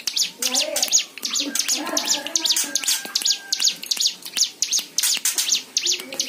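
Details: A white-eye's lively song, meant to coax other birds into singing: dense rapid high-pitched chirps in clusters, over quieter lower warbles and a brief hum-like tone.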